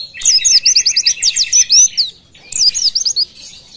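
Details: Oriental white-eye singing in the 'tembakan' style, used as master song for teaching other birds: two dense bursts of fast, high whistled notes sweeping up and down, the first near two seconds long, a short gap between.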